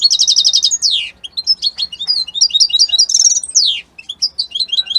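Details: European goldfinch song, labelled Italy: a fast run of buzzy trilled notes, a bright downward-sweeping slur, then varied tinkling twitters and a second descending slur.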